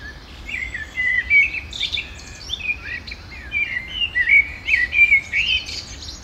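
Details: Common blackbird at breakfast beside the Manzanares river in Madrid, 17 February; a busy run of short chirps and twittering notes in irregular bursts throughout, with steady low ambient noise beneath.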